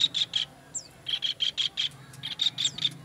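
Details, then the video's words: Kingfisher recorded as master material for training songbirds: three short clusters of sharp, high, scratchy notes repeated quickly, with two quick thin downslurred chirps and faint background hum. "MASTERAN TENGKEK UDANG"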